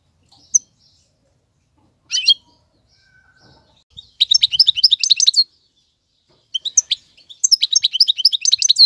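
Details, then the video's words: Male European goldfinch singing, used to tutor young birds: scattered high chirps early on, then two bursts of rapid twittering, tinkling notes with short pauses between phrases. "اقوى تغاريد الحسون, مقنين فحل لتعليم الفراخ"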